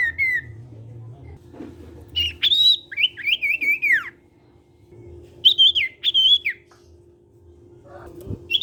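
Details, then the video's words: Sirtu cipow in full song for untrained sirtu to follow: several separate phrases of clear, warbling whistles that rise and drop, spaced by short silences, with steady low hum and a faint click. "SIRTU CIPOW GACOR BIKIN SIRTU BAHAN IKUT BUNYI."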